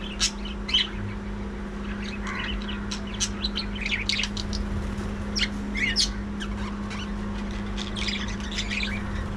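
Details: Budgerigars in a breeding colony aviary, a flock chattering together: dense overlapping short high chirps and warbled twitters scattered throughout, a steady low mechanical hum beneath.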